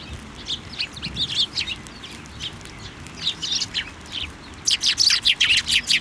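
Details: Eurasian tree sparrows assembling on a plum tree at a Tenmangu shrine, 10 February 2024; scattered chirping builds to a loud, rapid string of about eight chirps in the last second and a half.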